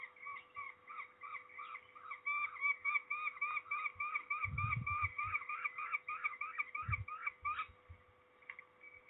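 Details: During ringing of peregrine falcons at Trzebież, Poland, on 13 May 2019, a rapid chattering run of clear, evenly spaced harsh notes, with a few low handling knocks midway.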